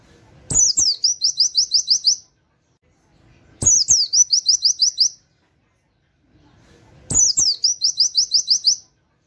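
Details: Oriental white-eye in full song in the 'wit wit kenari' canary-like style, kept as a master for training songbirds: three high, thin phrases about 3.5 s apart, each a sharp downslurred note then seven or eight quick rising chips, with soft thumps at phrase starts.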